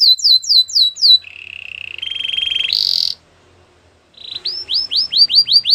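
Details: A canary's song, used to get a quiet canary singing. Falling whistled sweeps lead into a lower rolling trill that rises into a harsh burst. A brief pause follows, then repeated upswept notes.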